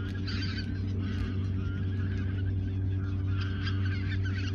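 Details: Autumn 2022 geese in the Ochsenmoor reserve shortly before their southward migration; honks come in loose bursts, strongest at the start and near the end, over a loud steady low drone.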